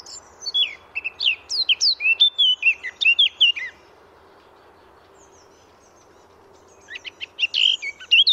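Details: Eurasian blackcap, a free wild bird recorded in France, giving a fast scratchy warbling phrase of varied notes for about four seconds, then a pause and a second brisk burst ending in clearer whistled notes.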